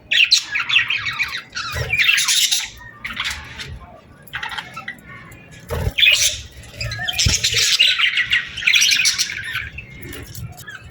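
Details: Birds chirping on a summer evening at sunset in loud, scratchy bursts of chatter separated by quieter gaps, with occasional low knocks in the background.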